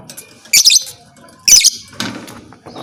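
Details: Lovebird calling, a sound said to stir other lovebirds into fighting: two loud, shrill, raspy chirp bursts about one second apart, with a fainter scratchy burst after them.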